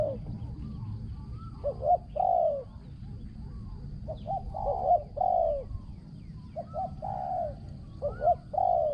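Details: Spotted dove, a decoy bird for trapping wild doves, praised for its ringing, well-phrased cooing; short paired coos lead into longer falling coos about every three seconds, with a faint rising whistle from another bird.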